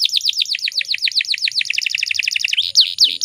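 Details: Female canary in breeding condition, calling to lure males into singing: a fast, even series of high, downward-slurred chirps, about four per second, ending in a brief sharper, varied phrase.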